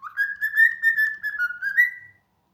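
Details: Cockatiel given to its new keeper by a follower, whistling a steady, slightly wavering pulsed note at one pitch for about two seconds, closing with a short upward lift; quiet room otherwise.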